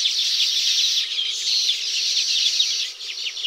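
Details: Baya weaver in its tropical habitat, around its hanging woven nests: a dense, continuous chatter of high, scratchy chirps and wheezy notes, overlapping without pause, thinning slightly near the end.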